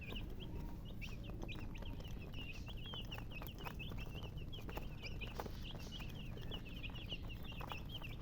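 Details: A group of chicks peeping nonstop, quick high chirps strung closely together, over heavy low-pitched background noise with occasional clicks.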